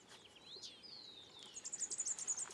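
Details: Collared warbling-finch in Peru: thin whistled slurs sliding downward, followed by a rapid, very high trill of closely repeated notes over the final second.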